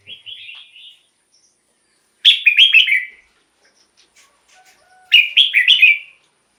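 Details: Red-whiskered bulbul song, played as a decoy to lure wild birds or to excite other birds: three short bursts of bright, bubbling, warbled notes, each about a second long, separated by brief pauses, with a faint chirp between them and a clean, quiet background.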